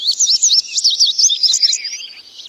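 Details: Indigo bunting singing a quick, high phrase of sharp paired notes that sweep up and down, delivered in a rapid run of about two seconds before fading away softly.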